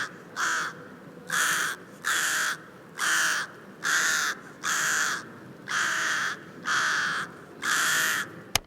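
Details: Rook (Spanish "graja"), played as a listening example among corvids, gives harsh, grating caws, about eight in a row, roughly one per second, each hoarse and slightly drawn out.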